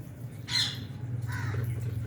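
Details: Albino and Fisher's lovebirds enjoying food in an aviary shared with budgies; one loud, grating squawk followed by a softer, lower raspy call, with steady low background hum.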